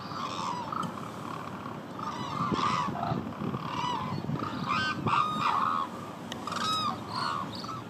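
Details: A flock of hooded cranes at Izumi (Kagoshima, Japan) calling together, with overlapping loud, trumpeting, slightly rising notes several times a second over a steady murmur of other birds.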